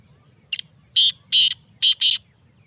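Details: Black francolin, known locally as kala teetar, calling freely: a short, soft lead note, then four loud, harsh, rasping notes in two quick pairs, over a low background hum.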